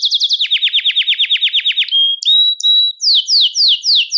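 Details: Song of a Belgian canary for attracting and calling canaries: rapid descending chips, then short clear whistled notes, ending with slower downslurred notes repeated about twice a second.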